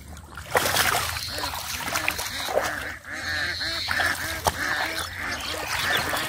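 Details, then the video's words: A flock of ducks quacks continuously in many overlapping nasal calls beside muddy water in a rural village, with splashing and sloshing as a boy catches catfish by hand in the mud. "The Ducks are Making Beautiful Sound"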